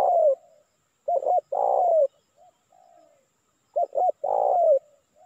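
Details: A spotted dove used as a lure call to attract wild doves coos in a low, hollow phrase, two short notes then a longer falling coo, given twice and clearly.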